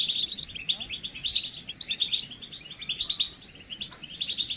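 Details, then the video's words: European goldfinch mating and readiness calls used to stimulate males out of moult and into singing; a dense, continuous twittering of rapid tinkling notes, pulsing in bursts roughly every second, with occasional sharper high notes. "بتبتة رائعة لتحفيز الحسون على الخروج من غيار الريش بسرعة"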